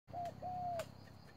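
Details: Spotted dove used as a decoy bird in a trap, calling very fast: a short mellow coo followed by a longer, even, slightly falling coo, with faint wing-like rustles in the background.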